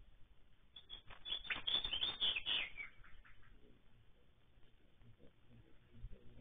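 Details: Baltimore oriole calling, a burst of short chattering and whistled notes around the middle pitch band packed into about two seconds, then fading to quiet background with faint low rumble.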